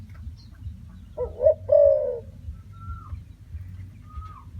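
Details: Spotted dove uttering one cooing phrase, a quick short note then a longer smooth coo, followed by silence with two thin high whistled notes from another bird and a low constant hum.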